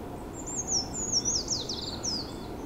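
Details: Eurasian treecreeper singing in the Hokkaido University research forest at Tomakomai, Japan: a very high, thin, rapid series of sibilant notes sliding downward and ending in a brief rising flourish, over soft background hiss.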